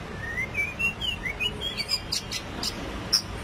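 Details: White-rumped shama singing in the 'rít thuốc lào' style: a quick run of clear whistled notes climbing and sliding upward, followed by a few higher sharp notes and a single loud snap near the end.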